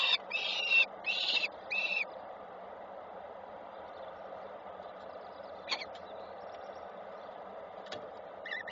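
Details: Falcons at a Koszalin nest on 7 June 2023, the male bringing small prey that is received and passed on; three or four loud grating calls open, then quiet with occasional clicks and a faint later call.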